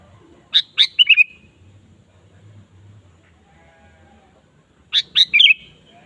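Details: Sooty-headed bulbul 'gacor' lure song meant to set a kept bulbul singing: two brisk bubbly phrases of three or four chirped notes, the second ending in a slurred whistle, separated by about four seconds of near silence.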